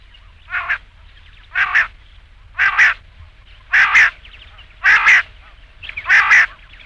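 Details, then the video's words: Rain quail, call played at night for hunting: six steady doubled rasping notes, evenly spaced about one second apart, growing slightly louder; clean quiet background. "batair ki awaz raat ke liye | rain quail sound"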